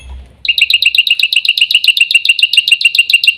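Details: Black-winged myna pouring out a rapid, even string of bright, buzzy two-part notes after a brief low rumble.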